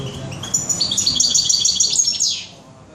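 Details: Goldfinch in a bird shop on 21 June 2015, giving a quick series of high, evenly repeated tinkling notes ending in a short downslurred twitter.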